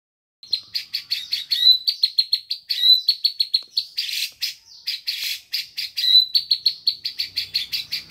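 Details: White-rumped shama singing a fluent learned imitation of grey-cheeked bulbul song: fast, steady runs of sharp high chirps, several per second, with a few brighter whistled notes, on a quiet background.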